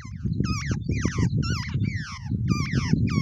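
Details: Two wild babbler birds together in their nest keep up loud, harsh chattering: rapid downslurred nasal notes with rich overtones, repeated continuously, over low rumbling noise.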